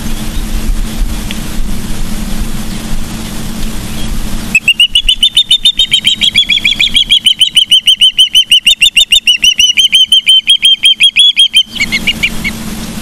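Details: Osprey on a Charlo, Montana nest camera, mid-September 2023 at midday: wind and low rumble, then a fast series of high piercing chirps for about seven seconds, slightly rising and falling, before wind noise returns.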